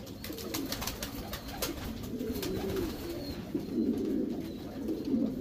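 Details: Racing Homer pigeons in a breeding section of a loft give low, rolling coos that overlap one another, with soft clicks and taps throughout and a faint thin whistle near the middle.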